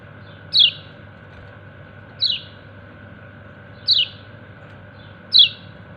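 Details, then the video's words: Kecial kuning white-eye calling its companions with four bright, downward-slurred 'ciak' chirps spaced roughly one and a half seconds apart, a faint constant hum running underneath. "Burung Kecial kuning ciak ciak manggil temennya"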